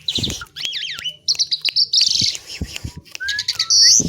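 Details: Asian pied myna, known locally as jalak suren, singing in full voice: a varied medley of warbling whistles, rapid trills, downward-curving notes and harsh high chatter, broken by sharp clicks and short thumps.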